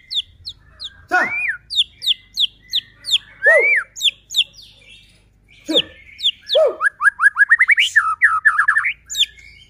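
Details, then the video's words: White-rumped shama in vigorous song, a recording meant as a lure to provoke other shamas into singing. Rapid series of short high ticking notes, broken by loud swooping whistles, ending in a fast run of rising whistled notes. "Murai batu gacor AMPUH buat PANCINGAN murai batu agar bunyi JADIKAN burung murai EMOSI"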